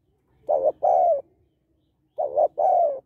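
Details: Spotted dove female call to excite males, two phrases each of a short double-pulsed coo and a longer slightly falling coo, clear and close, with a low faint hum beneath.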